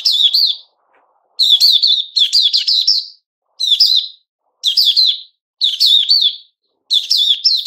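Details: A captive white-crowned shama in its new-feather season, September 2021, sings rich, high warbled phrases in quick bursts, about one every second, each ending in a fluty flourish, with short pauses between.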